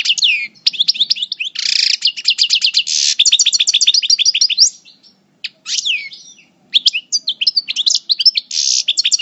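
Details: European goldfinch, Parva coupleur in moult, El Bordj: long rapid twittering song with buzzy bursts and trills, a brief pause near the middle, then resuming with liquid chirps and nasal buzzes.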